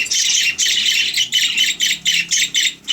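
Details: Budgerigar chatter in bursts, about four harsh, scratchy warbled phrases a second, each separated by brief gaps, high-pitched and loud throughout.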